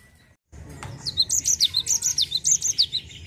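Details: Rolling 'ngerol' song of a Java sparrow used to lure untrained birds to sing. After a short cut, an unbroken stream of high, metallic chirps swings steeply up and down, roughly three or four per second.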